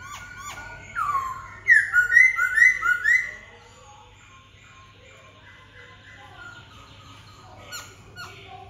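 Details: Black-throated laughingthrush giving a loud, rapid warbled burst of looping whistled notes for about a second and a half. Quieter twittering and scattered chips come before and after it.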